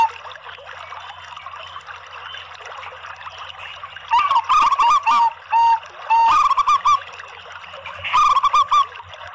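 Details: Local and Bangkok zebra doves singing together as a lure for other zebra doves: after about four seconds of quiet background hiss, bursts of soft staccato cooing around a steady mid pitch begin, with quick trilled notes and short pauses between phrases.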